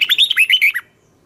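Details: Single brisk phrase from a red-whiskered bulbul's morning twisting-style song, used to train young birds: six or seven quick, bright whistles rising and dipping in under a second.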